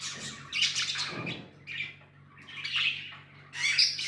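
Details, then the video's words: Tame budgies indoors giving harsh chirps and squawks in separate bursts with short pauses, a soft thump early on, and a low steady hum. "Budgies amazing love & chirping sounds"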